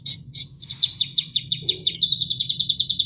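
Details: Bulbul, known locally as kapas tembak, kept as a caged bird and recorded as training material for other songbirds: a rapid series of sharp high chirps speeding into an even run of repeated notes, over a steady low rush of water.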